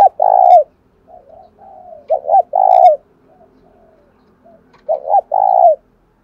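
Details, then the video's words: Spotted dove, a cage bird singing the deep 'giọng đồng thổ' style of cooing: strong drawn coos alternate with faint soft notes, then paired stuttered notes lead into a long low coo, three phrases in all. "cu gáy giọng đồng thổ thúc rút bổi nghe cái gáy luân và ngay"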